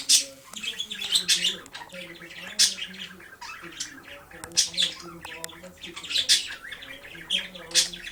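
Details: Pet budgerigar playing with his disco ball in the sunlight; bursts of sharp chirps and squawks come in clusters roughly every second, over steady low tonal lines.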